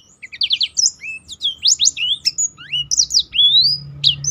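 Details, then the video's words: Lively song of a Black-throated canary, a tutor bird meant to make other birds sing: rapid rising and falling whistles, quick trilled notes and high sliding phrases packed closely together. "burung blackthrout lain pun ikut tergoda berbunyi"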